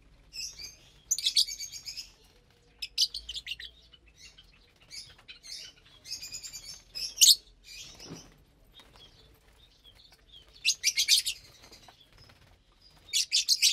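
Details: Lovebirds eating their morning food of vegetables and seeds on 30 April 2022: scattered bursts of sharp, squeaky chirps, loud clusters alternating with long quieter stretches of faint twittering.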